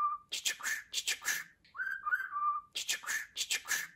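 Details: Pet budgerigar talking, from a compilation of genuine budgie speech: quick raspy, buzzy syllables in two bursts, with a steady mid-pitched whistle at the start and a wavering whistled phrase in the middle.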